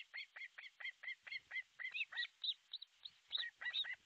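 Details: Osprey calling at an artificial nest in northern Satakunta, Finland, July 6, 2023, midday, from nest camera: steady series of piercing whistled chirps about four per second, later turning higher and more varied.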